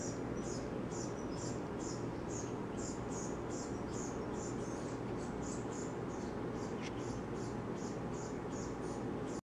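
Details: A Brown-headed Cowbird fledgling perched on a bird feeder begs frantically to be fed by its chickadee foster parent, giving thin, high begging notes repeated steadily about two or three times a second, over a low rumble of background noise.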